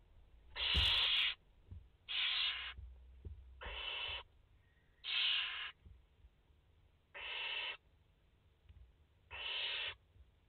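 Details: Five barn owl chicks in a nest, streamed live on 29 August 2021, give harsh, breathy hissing screeches, each about half a second long, repeated roughly every one and a half seconds over low faint rustling.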